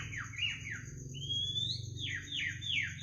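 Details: Bird singing in the middle of the night: a series of slurred, falling whistled notes, then a long sustained rising whistle and more repeated downslurred phrases, over a constant high thin tone and a low rumbling hum.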